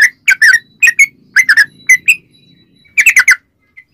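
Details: Yellow-vented bulbul singing in a lively, rapid style, used as a lure to get other bulbuls singing: short bursts of bubbly, slurred chirps with pauses between groups, then a final quick cluster of notes.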